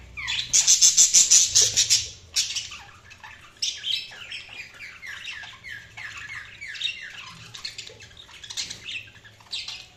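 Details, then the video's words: Budgerigars in a loud run of high chattering chirps, followed by a busy warble of short, falling, whistled notes repeated several times a second with scratchy twitters between them. "Budgies Chirping sound"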